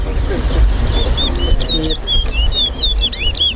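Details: Chestnut-bellied seed finch (towa towa) singing in a bird race at Lusignan bird ground, Guyana: a fast run of clear, varied whistles sliding up and down in quick phrases, over a low rumble of crowd noise and traffic.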